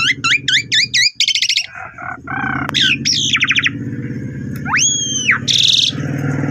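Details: Lure recording of a pied myna singing, meant to coax quiet birds into full song: fast repeated hooked whistles, buzzy rattles, rising slurred notes and two long arching whistles, with a low background drone.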